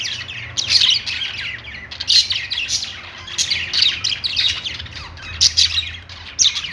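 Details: Cheerful budgerigar chatter: repeated bursts of raspy squawks and high chirps roughly every second, several birds calling over one another.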